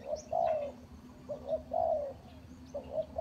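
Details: Lure call of a spotted dove for trapping: gentle coo-croo phrases, two short notes then a long falling note, repeated about every 1.3 seconds over a steady low hum.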